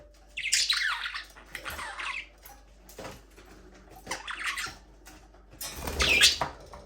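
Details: Several chirpy, warbling phrases from aviary budgerigars at play, each a rapid scratchy run lasting under a second, separated by brief pauses, the last one sharp and shrill.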